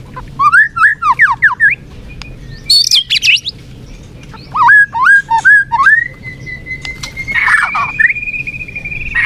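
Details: Murai batu, the white-rumped shama, in a lure song meant to make a sluggish bird more combative: rapid repeated downslurred notes, a high buzzy burst, more slurred chips, then a long steady whistle that slowly rises.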